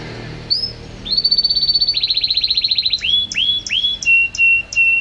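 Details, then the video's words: Champion canary singing constantly: a single high whistle, then a steady rapid trill that drops slightly in pitch midway, ending with clear downward-curving whistles and a lower held note. "Burung Kenari Juara Gacor"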